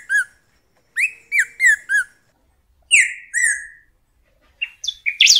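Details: Golden-billed saltator, known locally as pepitero or picahueso, singing clear whistled phrases: a quick run of four down-slurred notes, then two longer falling whistles, closing with a few higher squeaky notes.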